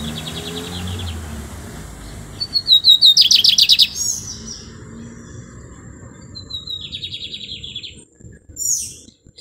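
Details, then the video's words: Lined seedeater song phrases in bursts: a fast series of buzzy repeated high notes, separated by quieter gaps with faint background hiss and a brief low rumble. "Bigodinho Talismã o Pardinho de canto Melodia!"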